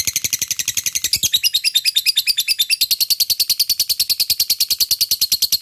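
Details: Lovebird in full 'ngekek' chatter, a lure for fighter lovebirds. A very fast, loud, high-pitched rattle of about eight notes a second runs nonstop, shifting into a brighter, more tonal stretch midway.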